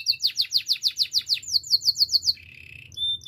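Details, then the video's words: Canary singing for training: a fast series of high, sweeping slurred notes, about six per second, shifting to a quicker series, then a low buzzy roll and a brief high whistle. "Active canary singing makes your canary sound"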